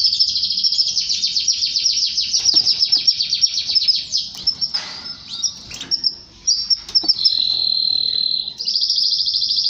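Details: Canary singing a song said to bring a male to mate with its female; a fast high trill, a choppy stuttering middle section, then long steady high-pitched rolls.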